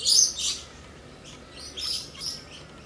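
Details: Galahs, a pair, playing: a loud harsh screech opens, followed by softer scratchy chatter notes spaced about half a second apart.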